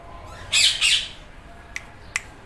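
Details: Green Indian ringneck parrot giving two short, harsh squawks in quick succession, followed by a few faint clicks in a quiet room.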